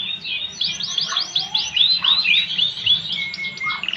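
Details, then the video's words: A Timbrado canary sings a rapid, high series of bright rolling chirps and swooping metallic notes, about four per second, ending in a long thin trill. "Canary Timbrado singing"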